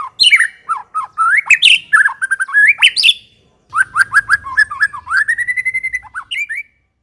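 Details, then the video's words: A white-rumped shama, used as a lure song for other shamas, sings two rapid bursts of rich, varied whistles swooping up and down, mixed with harsher chattering notes, with a short pause between. "Kicau Murai Batu"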